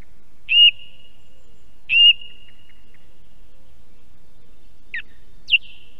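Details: Song thrush in Estonia, heard through an osprey nest camera: the same clear whistled note sung twice, about 1.4 seconds apart with ringing tails, then two different sharp notes after a pause.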